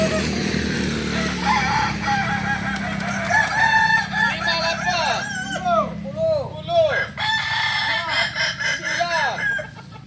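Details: At a shared practice session in Ampang Kualo, Solok city, Kokok Balenggek roosters give a long stepped crow of repeated arched, bell-like syllables, one after another, over steady low hum and voices.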